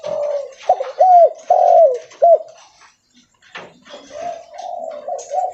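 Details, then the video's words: Spotted dove of the leopard type, calling while walking: loud, hoarse coo phrases of several short notes, each rising then dropping, roughly two per second, with a brief pause mid-clip before softer cooing resumes. "Suara Derkuku Leopard Volume Besar Super Gacor Bunyi Sambil Jalan"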